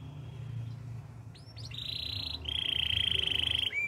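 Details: Canary song beginning softly with faint notes over low background noise, then a few upslurs and a loud, fast, steady rolling trill lasting over a second.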